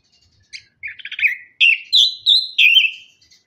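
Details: Orange-headed thrush (anis kembang) singing as a lure to coax birds that have gone quiet after moulting: a chattering burst, then four loud clear whistled phrases, each slurring slightly downward, delivered in quick succession.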